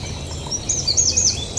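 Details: A Yellowhammer in the Eifel gives a short run of thin, very high, slightly slurred notes, repeated quickly over about a second, over a low background rumble.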